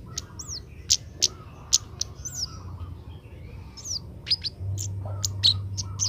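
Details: Oriental magpie-robin youngster being trained, learning to sing: a busy string of piercing high chirps and curved, downslurred whistles at uneven intervals, with a low steady drone underneath.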